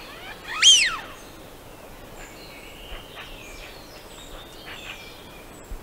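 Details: In Central Russia, a Eurasian wigeon (Mareca penelope) gives one loud, clear whistle call that rises and then drops, a sharp 'wheeoo', followed by fainter, softer whistles in the background.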